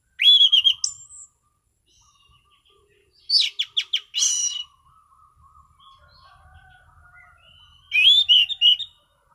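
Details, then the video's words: Relaxed ngeplong song from an Orange-sided thrush in prime condition: a whistled opening, a rapid series of sharp vertical chirps, then a later phrase of warbled whistles, with faint low hum between. "Burung Anis Cendana Ngeplong Santai"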